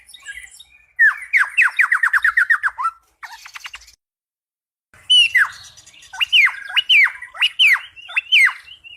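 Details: Cucak pantai singing, its song likened to the cucak rowo: a quick burst of about a dozen rapid chirps, a brief pause, then a run of loud down-slurred whistled notes.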